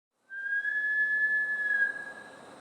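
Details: Bush stone-curlew at Gold Coast, Australia, a wild bird that sometimes comes inside a home, giving one long, steady, eerie whistled wail held for about two seconds in a quiet room.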